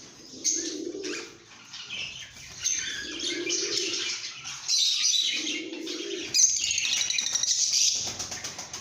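Lovebirds chatter in a dense, shrill stream of high chirps and squeaks, with soft wing-flutters and low rumbles of birds moving about.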